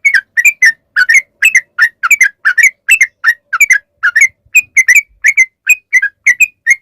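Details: Sooty-headed bulbul, the long rapid 'ropel panjang' song meant to lure bulbuls into singing: clipped, chirpy whistled notes in quick succession, some doubled, repeating steadily for nearly seven seconds, with faint low thumps.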